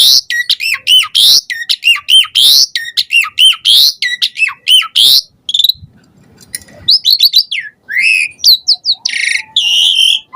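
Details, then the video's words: Lure song of an Asian pied starling meant to make other starlings reply: repeated loud falling whistles with harsh buzzy bursts about every half second, a short quiet gap, then rapid squeaky phrases and scratchy notes. "Suara Jalak Suren Gacor Full Isian Mompa Unik Pancingan EMOSI Burung Jalak Auto NYAUT Bongkar Isian"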